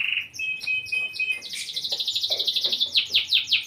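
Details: Long-size canary singing actively: a steady whistled note, then a rapid rolling trill of short high notes, ending in slower repeated falling chirps.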